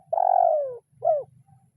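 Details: Spotted dove decoy bird in the kuk 0-1 style calling a rival: a long coo falling steadily in pitch, then a short arched note, over a low humming background.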